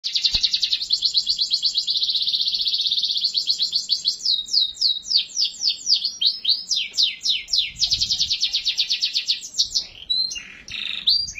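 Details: Atlantic canary in full, energetic song, used as a lure to get other canaries singing: long rapid rolling trills, then a series of sweeping descending notes and fast repeated phrases, ending in short bright chirps.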